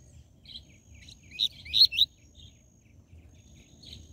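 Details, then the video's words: Tui tui zel zel style song of a Double-collared seedeater, meant to stimulate captive birds: a brief burst of three loud, sharp, buzzy notes mid-phrase, framed by softer chips over faint low hum. "Esquente seu COLEIRO e PAPACAPIM CANTO TUI TUI ZEL ZEL"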